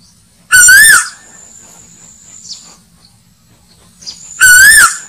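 Asian koel giving two loud, rich, slightly wavering whistled calls about four seconds apart, with a faint thin high whistle between them.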